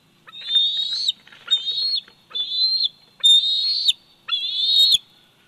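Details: A bald eagle eaglet aged 104 days calls repeatedly from its Big Bear Valley nest, filmed by nest cam on 27 July 2019. Five shrill, slightly wavering whistles follow each other almost without pause, each cut off abruptly.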